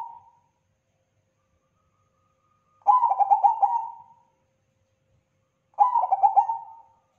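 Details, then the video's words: Bangkok-type zebra dove giving its crossing song: after a trailing coo, two full phrases about three seconds apart, each opening with a bright tone, then bubbling rapid notes, then a long even coo; clean, quiet background. "Masteran Perkutut Crossing Gacor Durasi Panjang"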